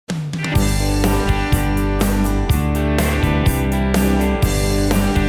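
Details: Rock music with a steady drum kit beat, bass and guitar plays throughout, with no animal sounds.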